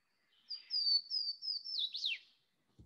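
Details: A Swainson's Warbler, heard in spring along a dirt road in South Carolina, sings a loud, clear run of slurred whistles ending in a quick, tumbling downward flourish.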